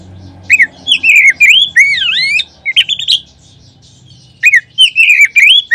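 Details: Oriental magpie-robin song used as a lure that sets other magpie-robins singing. Two bursts of strong, varied whistles with sweeping slurs and sharp chirps are separated by a quiet pause, over a low background hum.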